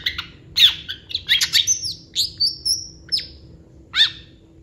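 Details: Long-tailed shrike singing a varied, mimicry-rich song: quick scratchy chatter blending into several drawn-out, high, thin whistles, ending with a single harsh note.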